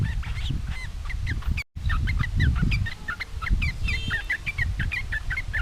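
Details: Sooty-headed bulbul singing energetically to provoke rivals into answering; rapid, choppy chirped notes repeated several times a second, with loud low rumbling noise beneath and a brief dropout near the middle.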